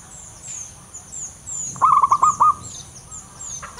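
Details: A local male zebra dove, loud and in full voice, gives a single run of five or six rapid, purring coo notes, over a continuous high-pitched hum and faint distant chirps.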